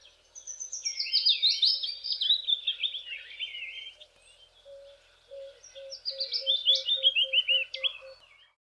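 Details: The season's first willow warbler, singing from trees overhanging a stream near Grahamstown, South Africa: two sweet, liquid phrases tumbling down the scale, each about three seconds, with a low, steady series of pips in the background.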